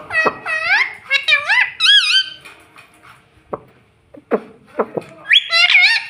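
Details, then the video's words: Pet parrot speaking, reportedly saying "mummy": a quick string of bent, squeaky, rising and falling tonal syllables, a pause with a few clicks, then another burst of squealing notes. "Talking parrot - Bolne Wala Tota - Mummy Bolne wala tota - pattu parrot talking"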